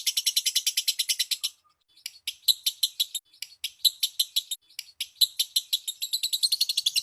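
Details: Lovebird song used as a lure to get other lovebirds singing: dense, rapid, shrill high-pitched chirping in fast pulses, a brief pause near the second mark, then continuing equally fast and piercing.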